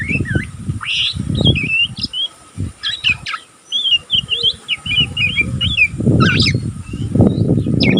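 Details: A young pastol oriental magpie-robin still practising, twittering without break: many short whistled squiggles, chips and slurs in an irregular stream, accompanied by repeated low thumping and rustling noises.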